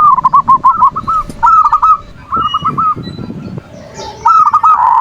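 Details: Zebra dove (perkutut) cooing song, played as a lure to stir other doves into breeding condition and rivalry and to make lazy birds sing: series of quick, bubbly rolling coo notes in bursts of about a second, repeated with short pauses; faint background noise.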